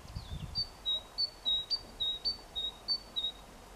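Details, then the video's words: Tit calling its mate on 14 April 2021 with a high, pure two-pitch whistled song, notes alternating up and down at a brisk even pace; a brief sliding call or voice sounds at the start. "Песня синички"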